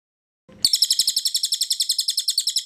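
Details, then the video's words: Training recording of cililin versus cucak kinoy in lively ngebren style: after a brief low thump, a bright high trill of rapid identical notes, roughly eight per second, runs steadily to the end against a clean, quiet background. "Masteran Burung Ngebren Cililin Vs Cucak Kinoy Gacor Super Jernih"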